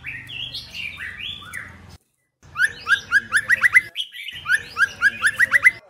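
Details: Female White-rumped shama voice used to stimulate males: a few buzzy, blocky notes, then quick series of bright rising whistles repeated many times in a row.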